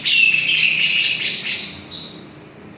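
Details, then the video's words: Javan grey-cheeked bulbul singing actively, giving a short burst of loud, bright warbling phrases that end in a clear, level whistle, over faint low background noise. "cucak jenggot jawa gacorr"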